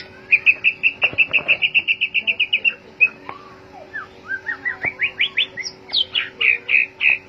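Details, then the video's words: Lure song of a white-rumped shama, used to get other birds singing: a fast even string of about fifteen clear whistled notes, then upslurred whistles rising in pitch and loud repeated fluty notes. "Pancingan murai batu 🔥 Naikan emosi burung auto ikut gacor"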